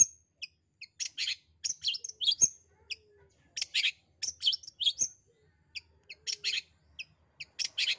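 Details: Long-tailed shrike giving harsh, scratchy chatters mixed with thin high whistles, in short bursts repeated about every two and a half seconds, used as a lure call to prompt shy or quiet shrikes to sing; otherwise quiet.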